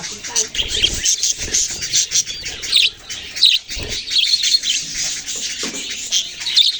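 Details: Baby budgies produce a lively mass of thin, squeaky chirps and twitters, broken now and then by soft low thuds of movement.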